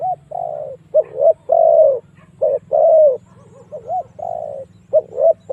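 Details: Lure recording of a spotted dove for drawing wild doves into fighting. Hollow coos run in uneven groups, short clipped notes leading into longer falling ones, with a low background hum throughout.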